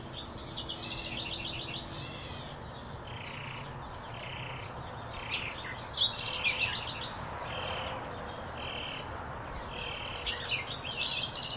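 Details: Blue-throated flycatcher in an Arizona field recording: short, buzzy mid-pitched notes repeated about every second, mixed with higher twittering phrases and steady background noise.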